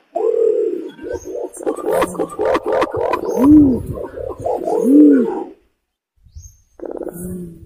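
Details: Imperial pigeon lure sound: a quick run of soft throbbing notes with sharp clicks, followed by two deep, arched booming coos spaced about one and a half seconds apart, then a pause and low murmuring.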